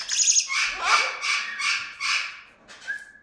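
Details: Venezuelan amazon, one parrot some 10 meters off, whistling contentedly: several loud, rough, broadband squawks in quick rhythmic succession, softening, then a short level pure whistle to close.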